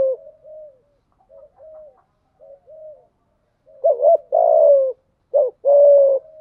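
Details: Decoy spotted dove cooing to attract wild doves. Three soft, muted coos are followed by two loud phrases of clipped, rising notes, each ending in a long, gently descending coo. Nothing else is audible.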